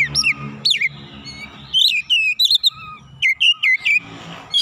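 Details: White-rumped shama singing to provoke a rival: bright whistled downslurs and upslurs, quick chip series and short trills in separate phrases, with a low mechanical hum in the background.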